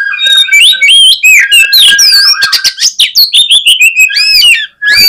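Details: Oriental magpie-robin in full fighting song aimed at provoking rivals, a continuous loud torrent of fast, varied notes: chattering, rising and falling whistles and arched slurs tumbling together for five seconds.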